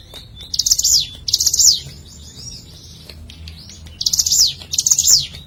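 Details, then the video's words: Ciblek gunung prinia call from nature, used as a lure: two quick pairs of high, buzzy, chattering phrases with descending sweeps, separated by a pause of about two seconds, over a faint low background rumble. "Pancingan CIBLEK GUNUNG Suara Asli Alam"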